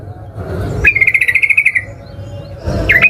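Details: A Yellow-vented bulbul, played as a lure to set off singing, gives one buzzy pulsed trill lasting about a second. A short chirp follows near the end over a low rumble.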